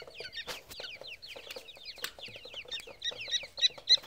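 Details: Grey francolin chicks calling: a dense stream of high, thin, descending peeping notes, many overlapping, with occasional louder sharp chips and soft clucking underneath.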